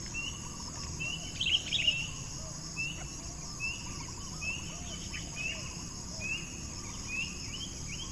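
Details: Hungry coucal chick that keeps begging even after eating plenty: short thin high chirps repeated in an uneven series, a louder cluster near the start, over steady insect hum and low background noise.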